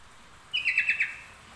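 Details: Sooty-headed bulbul singing a song learned from the trucuk: one short, bright, warbled phrase of quick rolling notes, starting with a brief high whistle and dropping slightly toward its end, over a quiet background.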